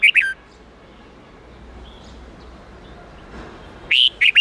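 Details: Red-whiskered bulbul song for teaching young birds: a short burst of clear whistled notes, a long quiet gap with soft background hiss, then a few loud rising whistles at the end.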